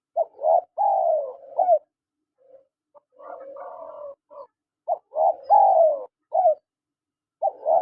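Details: Male and female spotted doves trade cooing phrases: short notes, a drawn-out descending coo, a softer murmured passage in the middle, then more crisp coos.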